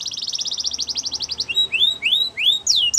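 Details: A canary's training song: a rapid, regular trill of short sharp notes for about one and a half seconds, then slower, drawn-out rising whistled slurs and a final high falling note.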